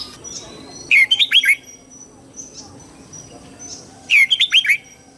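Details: Red-whiskered bulbul morning song, played to train young birds' voices: two loud, rapid phrases of four or five warbled, whistled notes, the second about three seconds after the first. Faint high chirps sound in between.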